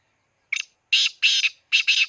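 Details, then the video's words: Loud grating call of a black francolin recorded at Khushab, opening with a brief ticking note and followed by three harsh, buzzy bursts, the final one doubled, against a silent background. "kala teeter ki awaz"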